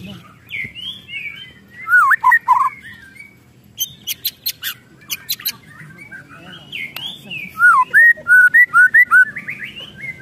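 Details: White-rumped shama in an agitated state, mixing bursts of sharp clicking ticks with looping, fluty whistled notes, ending in a quick string of about eight bright whistles, with a faint low rumble behind.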